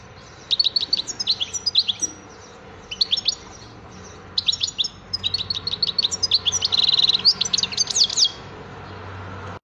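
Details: European goldfinch singing: rapid bursts of high twittering and tinkling notes, with buzzy trills and a sustained fluttering trill near the end, phrases separated by short pauses, faint low hum beneath.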